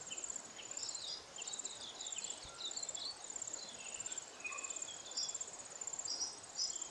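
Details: Lesser redpolls, mostly females, feeding in winter on seeds hidden in alder cones in the Maungakotukutuku Valley, Kapiti, New Zealand. Quick high chirps and twitters come in irregular bursts over a steady, shrill, insect-like hiss.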